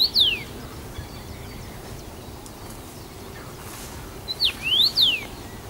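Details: First-summer male Common rosefinch singing abundantly in Bazel, Belgium, on 7 June 2015, returning to the same branch. Clear slurred whistles: one short phrase at the start, then after a four-second pause a rising-and-falling phrase of several notes, over low background rumble.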